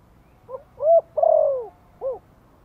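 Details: Gentle Thổ-style lure call of a spotted dove, used to rouse newly caught birds to call. One mellow phrase: a soft lead-in note, a rising hoot, a long drawn-out downward coo, then a short closing hoot.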